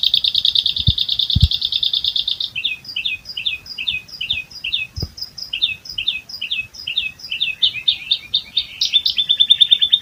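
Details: Jalak suren, the Asian pied starling, singing ngerol isian, an unbroken chain of imitated calls of other birds. A fast buzzy trill gives way to a series of sharp, scattered chirped notes, then a brief high steady tone at the end.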